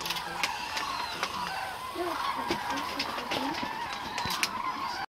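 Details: A large flock of cranes at Agamon Hula in October 2012 forms a dense, continuous chorus of overlapping trumpeting and rolling calls, with a few lower honks standing out and no pauses.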